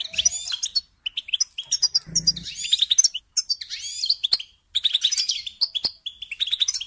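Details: European goldfinch singing for songbird training, choppy phrases of high tinkling twitters and liquid notes broken by short silences, with a brief low hum midway.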